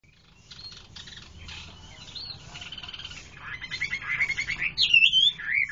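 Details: Chinese hwamei singing: after soft, scratchy notes it builds into loud, rich whistled phrases that slide up and down, growing louder and ending in strong, looping whistles.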